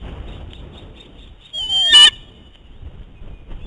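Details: Eagles from a restoration project fight over food on the nest as the male refuses to give prey to the young female. Soft faint peeps are followed by one loud, descending, harmonic whining squeal lasting about half a second.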